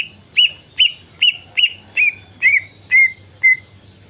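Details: Greater green leafbird mimicking a plaintive cuckoo: eight clear, high whistled notes about every half second, each rising then dropping, copying the cuckoo's mournful series.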